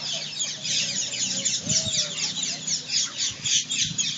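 A dense chorus of many rose-ringed parakeets gathered at a roost, a continuous wash of harsh, high screeching squawks overlapping several times a second.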